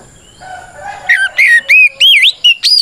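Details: White-rumped shama singing to provoke rival shamas, soft low warbling first, then a rapid string of loud looping whistles that swoop up and down.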